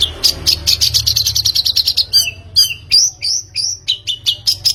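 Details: Long-tailed shrike recording used as a lure to get another bird singing: a fast run of sharp high chirps, then varied whistled slurs and upward sweeps, lively and uneven.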